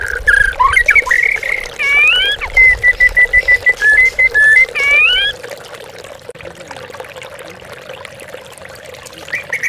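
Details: White-rumped shama lure recording used to provoke captive birds into singing as if facing a rival, paired with trickling water. Rich whistled phrases with sliding notes and steady repeated whistles for five seconds, then only trickling water remains.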